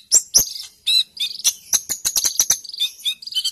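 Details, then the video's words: Sunbird singing persistently in a fighting mood, offered as a tutor recording for training other songbirds: rapid bursts of very high, sharp chirps and clicks mixed with short buzzy trills, densely packed with brief pauses, no other sounds present. "Kolibrimu langsung fight dan gacor!!! Cocok buat masteran"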